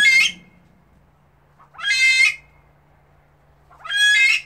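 A female Himalayan monal gives three harsh, nasal squawks, each about half a second long, spaced every two seconds, with only a faint low hum behind.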